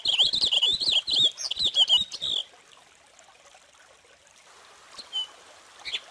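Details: A Purple finch pours out a long, bubbly warble of quick varied notes lasting over two seconds, then falls quiet while faint distant chirps sound in the background.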